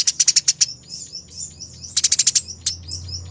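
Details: Eurasian tree sparrow, fighting, on a training master: two quick clusters of about six loud, sharp chirps, with softer scattered twitters between them and a low hum in the background.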